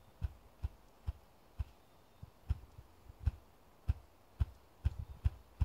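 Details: Ruffed grouse drumming in Washington, New Hampshire: deep, muffled thumps, about a dozen in six seconds, spaced unevenly and quickening slightly toward the end without breaking into a full roll.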